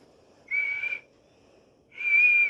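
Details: Talking parrot producing two steady, level, pure whistles about half a second long, separated by a pause of roughly one second.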